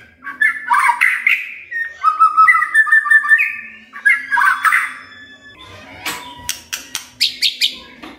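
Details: Magpie-robin song used to stimulate a quiet bird to sing: varied whistled and warbled phrases in the first half, then a run of sharp, clipped high notes after a pause.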